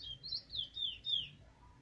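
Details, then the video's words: Young brown Trinidad bullfinch starting to sing on its own, 7 November 2019: four clear, warbled whistled notes sliding up and down, loud and close, over faint low hum. "Trini bullfinch Brown bird now start voicing a bringing teeture alone"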